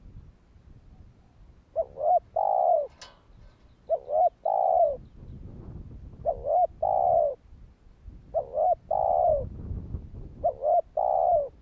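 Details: Spotted dove giving its call to provoke other doves, repeated paired phrases roughly every two and a half seconds, each a quick double coo then a longer rolling coo; low rumbling background and one sharp click.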